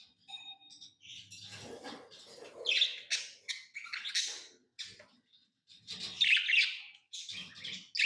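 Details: Pet lovebirds squawking and chirping in quick, uneven, shrill notes, some sharp and clipped, others harsh, with soft low sounds between.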